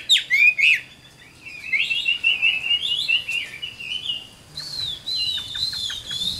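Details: Caged Chinese hwamei, an adult wild-caught bird with a good voice, opens with a few sharp notes, then a long, soft, rambling warble and a higher sustained whistled passage.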